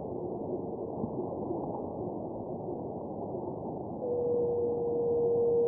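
A Buff-spotted Flufftail gives a low, steady, hooting moan, like a distant foghorn, over a constant background hiss.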